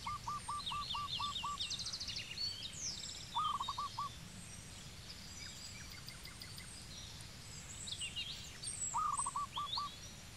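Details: Zebra dove in Cambodia giving three bouts of quick, hooked, staccato cooing notes, five to six in a row, at the start, middle and end. Numerous small birds twitter and whistle in the background against low rural noise.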